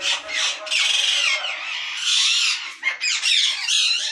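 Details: Captive breeding colony of ringnecks in Pakistan, 2022: a dense chorus of harsh, grating screeches from many parakeets, broken by two short pauses.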